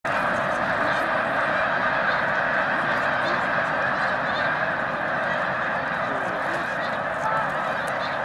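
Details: Immense flock of migrating snow geese at Baie-du-Febvre, Quebec, between Montréal and Québec City: a dense, unbroken roar of countless overlapping honks and yelps, steady in loudness throughout, with no single voice standing out.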